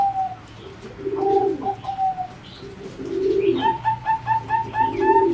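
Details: Zebra dove bred for singing contests, kept in a flight cage, gives low, buzzy coos, while a higher bird repeats a short clear note steadily in the background.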